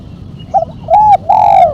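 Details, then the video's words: Spotted dove, sharp mercik style with one kuk, meant for luring and tutoring other doves: a quick soft note followed by two mellow drawn-out coos, the last longer and sliding downward, over a steady low hum. "Burung tekukur suara MERCIK kuk 1 tajam"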